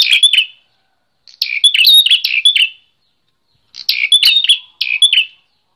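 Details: Bar-winged prinia in lively, active song, used as a master recording to train other songbirds: three bursts of sharp, high chirping notes about half a second to a second long, separated by short silent pauses.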